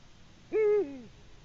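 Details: Eurasian eagle-owl hooting at its nest after bringing in a small gray mammal, possibly a shrew, evening of 21 March 2020; a single loud, low hoot that holds steady, then slides downward into a trailing tail.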